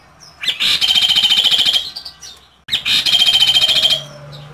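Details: Kaso Kaso bird performing a 'tembakan' burst song, valued as a master bird for tutoring songbirds. Two loud, rapid, rattling high trills of over a second each are separated by a short pause, with a low hum after.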